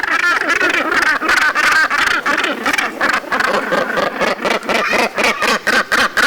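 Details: Northern gannet (Morus bassanus), colony calls: recognizing calls of young, mates and neighbours.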